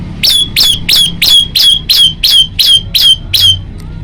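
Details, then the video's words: A male moss prinia, recorded at night, sings with variation: a rapid series of eleven sharp, high chipping notes, about three per second, steady in pitch, over faint low background rumble; prinia. "kicau prenjak lumut gacor"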